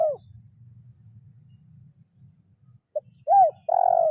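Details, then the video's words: Spotted dove calling a rival, lure-bird kuk 0-1 style: a falling coo tail at first, low humming noise, then a short note, an arched coo and a long level-to-falling coo near the end. "Suara Tekukur Memanggil Lawan"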